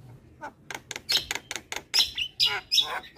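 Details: Javan myna chattering in training material for young birds: a string of harsh, broadband rasping notes with a few squeaky high whistles.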